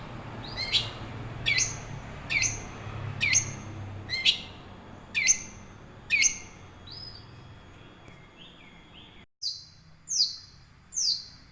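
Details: Long-tailed shrike, a young wild bird, singing as a lure for caged shrikes; sharp downslurred notes about once a second, then softer varied whistles and a few louder harsh chips.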